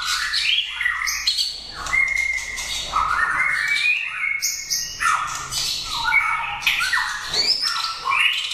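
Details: White-rumped shama kept as a contest bird, winner of several prizes in 80-cage competitions, pouring out a long varied song of clear whistles, rising slurs and scratchy bursts in rapid succession.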